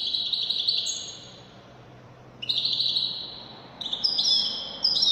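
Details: European goldfinch, named as Widani, giving short high twittering phrases separated by quiet gaps over a faint background hiss, ending in sharper tinkling notes.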